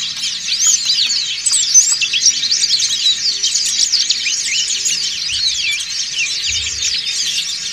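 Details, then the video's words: Dense chorus of many white-eyes (Dakun and Montanus types) chirping together: high, thin, rapid twittering and squeaky rising-falling chirps overlapping without pause. "PLECI DAKUN NGRIWIK BERJAMAAH"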